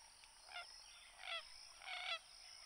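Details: Common gallinule (Gallinula galeata) song: three harsh, nasal, honking clucks about 0.7 seconds apart, the last a longer grating burst, over a steady high hiss.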